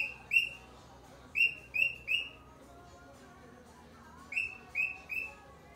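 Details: Cockatiel calling in short groups of two to three crisp, downslurred whistled chirps, with quiet gaps between groups and a low steady background hum.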